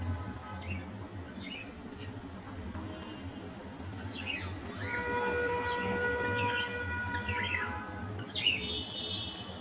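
Cockatiel giving short chirps and rising, whistled calls over a low steady hum.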